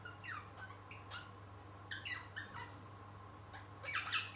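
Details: Indoor young pet rosella at play, attempting song: scattered short squeaky chirps and buzzy downward notes, ending in a harsh noisy burst, with a constant low hum behind.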